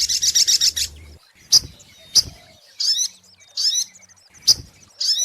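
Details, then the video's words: On a lure recording, a brown-throated sunbird (sogok ontong) gives a short, rapid, high trill, then spaced sharp chips alternating with brief twittering phrases. "SUARA PIKAT mp3 BURUNG SOGOK ONTONG PALING TOKCER"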